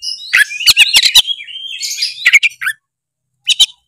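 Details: Oriental magpie-robin singing to draw out a quiet bird: bursts of clicks and whistled notes, a drawn-out whistle, more chattering, then silence before a final short chirp.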